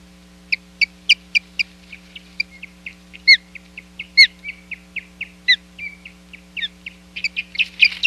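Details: Osprey during the day's fourth showdown at the Hog Island nest, 10 July 2021. A rapid, agitated series of piercing whistled chirps that speeds up and grows denser and louder toward the end. A low hum runs underneath.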